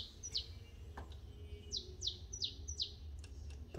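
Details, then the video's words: Saffron finch, mineirinho type, still with pin feathers on its head after moult, sings a steady run of crisp, high, steeply falling notes, about five in quick succession, with faint clicks in the background. "Canário Mineirinho filho do Mineiro vice campeão Cobrap e de mãe CMA voltando a cantar"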